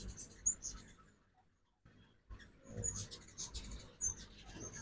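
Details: Ruby-throated hummingbirds during the 2024 fall migration chip at a backyard feeder in Oxford, Mississippi, in the morning. A few high squeaks are followed by a near-silent pause, then denser shrill twittering.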